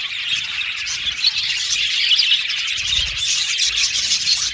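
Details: Budgerigars in an aviary colony chirping together: a dense, continuous wash of high twittering and warbling notes with scattered sharper chirps, steady throughout with no pauses.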